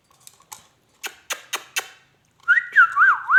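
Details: Talking ringneck parrot indoors: a few soft clicks, then four loud, evenly spaced snapping clicks, then a bright, looping whistle that rises and dips in quick waves.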